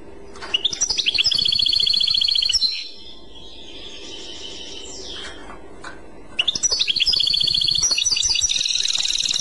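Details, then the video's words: Clochette-style European goldfinch song: rising notes lead into a long, high, evenly repeated trill lasting about two seconds, a pause of several seconds with faint notes, then another rising trilled phrase. "تغريد كلوشات Chant Clochette"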